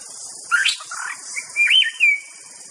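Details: White-rumped shama song made of short whistles that swoop up and down, ending in a longer sustained whistle, with a steady high-pitched insect hiss behind.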